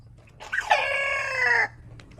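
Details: A sick rooster on a farm gives a single cut-short crow of about a second, rough and strained, sliding slightly downward before stopping abruptly, over a faint steady hum.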